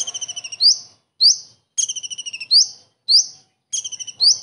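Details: Kingfisher imitation by a common iora, featuring the typical kingfisher bursts. Quick rattling series of clipped notes lead into bright rising whistles, with the pairing repeated several times in a lively, high-pitched rhythm.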